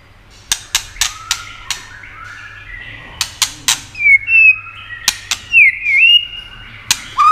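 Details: White-rumped shama song, used to stimulate other shamas. Many loud, sharp, dry clicks come in irregular groups, with soft whistles in between and bright looping high whistled phrases near the end.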